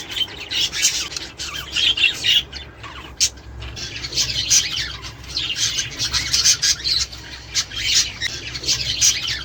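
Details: Budgerigars warbling to prompt mating and egg production; a steady stream of rasping, twittering chatter with frequent sharp clicks and squeaks, nearly unbroken throughout, low hum underneath.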